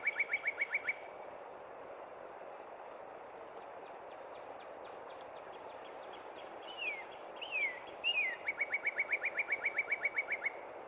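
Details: Northern Cardinal singing in spring at Cub Run, rapid clear trills of quick repeated notes and three loud down-slurred whistles, over a steady rushing background hiss.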